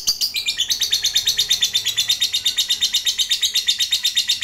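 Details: Fighter lovebird giving a long chattering ngekek call, played to prompt other lovebirds to answer: rapid, buzzy high notes repeated almost three times a second in an unbroken run, slightly dropping at the start.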